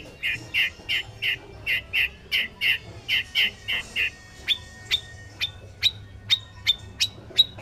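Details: Male white-rumped shama song opening with a steady series of full, mid-pitched whistled notes about three per second, then switching to thinner, sharp, high pips spaced further apart, over faint low hum.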